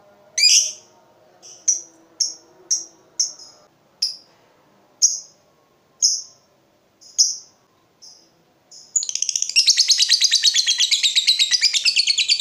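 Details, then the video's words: Lovebird long trill, the prized drawn-out chatter used to stimulate other lovebirds to sing: short sharp high chirps at an uneven pace, then a dense, rapid rattling trill carrying on for over three seconds to the end. "Pancingan SUARA BURUNG LOVEBIRD INI"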